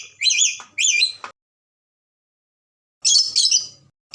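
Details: Ambon red lory giving a pair of loud, buzzy, wavering screeches, falling silent, then answering with another doubled harsh shriek.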